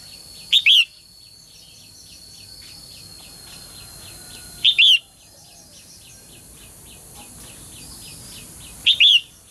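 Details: Female songbird calling so that males will sing actively. She gives a two-part call, a brief sharp note and then a longer downslurred whistle, three times at roughly four-second intervals. Soft rhythmic ticking sounds in the background.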